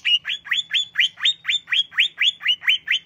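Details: Greater green leafbird song for rousing emotion: evenly spaced, rising slurred whistles repeated about four times a second, full and ringing, with a soft hum underneath.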